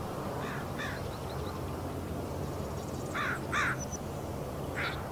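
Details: On a marsh in Richmond, British Columbia, Canada, 16 May 2018, crows chatter while a heron stands nearby: a few scattered harsh caws, then a close pair and a final caw, over constant low rumble.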